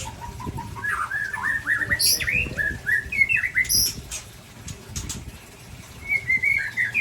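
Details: Aceh white-rumped shama of the Ujong Pancu type sparring with a Tangse shama: a rapid series of short rising whistles, about four per second, then a brief lull and more chirps, with soft thuds.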